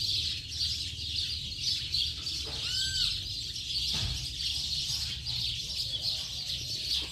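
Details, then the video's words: House sparrows chatter as a flock in late afternoon, continuous high chirping, with a single clear downslurred whistle cutting through around the third second and a soft thump soon after. "Bando de Pardais Cantando Baderna de Final de Tarde!!!"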